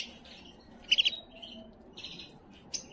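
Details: Canary song for exciting females, short passage of buzzy trills with a loud triple chip, then a rolling phrase and a final sharp note.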